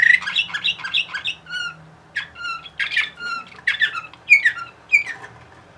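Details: Bulgarian canary singing in Sofia, Bulgaria: bursts of varied chirps and short trills broken by brief pauses, with bright ringing notes and clear whistled phrases around the middle, in a quiet indoor room.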